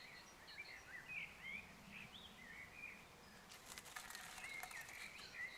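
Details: A nesting great tit gives soft, thin chirps and short sliding notes scattered through the clip, with brief rustling and wing flutters near the end.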